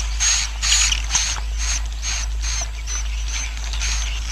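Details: Roosting colony of swiftlets, a sound meant to make the colony develop quickly: rapid, evenly spaced buzzy bursts, about two per second, each topped with a thin high whistle, over constant low hum.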